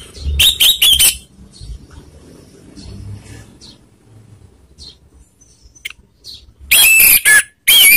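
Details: Orange-headed thrush lure song meant to provoke rival birds: loud harsh bursts with whistled notes opening the clip, a long quiet stretch with faint chips, then two more strong bursts near the end.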